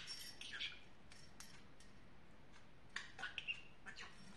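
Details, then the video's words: Domestic talking parrot chattering in two clusters of hoarse, word-like syllables with squeaky whistled accents, a quiet stretch between them, indoor background hum. "Говорящий Попугай"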